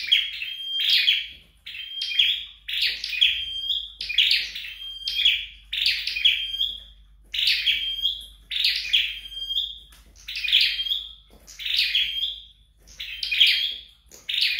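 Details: Red-headed flowerpecker during home training, singing a long steady series of about a dozen phrases, each a harsh, high chattering burst with a thin whistled tail, repeated roughly every second.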